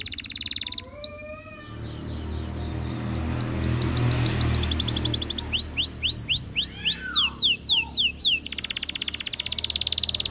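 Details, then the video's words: Canary song in bursts of quick descending whistled notes and dense high trills, broken by a stretch of broad hissing noise and steady low background sound. "Canary Singing Bird Sounds"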